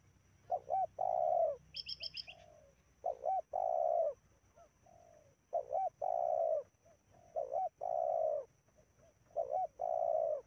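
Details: Spotted dove, a medium-voiced bird used as a lure in a field, gives soft, mellow coos in short repeated phrases, each a quick lilting note before a longer coo; a brief high chirp early on.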